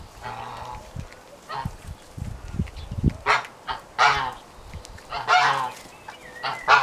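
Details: Two-month-old white Brahma chicks giving short, harsh honking calls in bursts of one to two seconds, about every second, with low thumps and shuffling noises between them.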